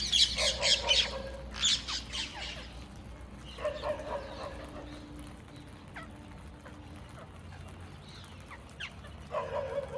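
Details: Many rose-ringed parakeets on a balcony give harsh, grating squawks in bursts of several quick notes, with quieter gaps and a faint hum in between.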